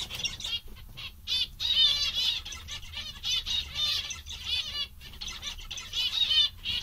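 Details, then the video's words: Several contented, happy zebra finches chattering in quick, nasal, toy-trumpet beeps, overlapping in a busy, continuous stream of high calls, with soft wing flutters mixed in. "Mandarins bastante engraçados e contentes"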